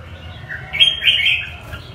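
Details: Red-whiskered bulbul of the northern Vietnamese type singing: a short burst of bright warbled notes with a brief rising lead-in, then a sustained rich phrase, over a low steady hum.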